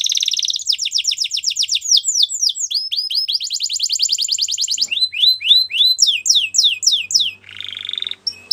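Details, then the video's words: Belgian canary song used for training young canaries: high, rapid trilled tours of repeated notes, some sweeping downward in fast series, with a brief buzzy roll near the end; the bird sings continuously. "Belgian Canary Singing"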